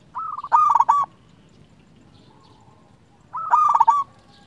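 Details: Zebra dove, a local bird singing as a master recording to provoke other doves: two loud rolling cooed phrases of clustered short notes, separated by a couple of seconds of quiet.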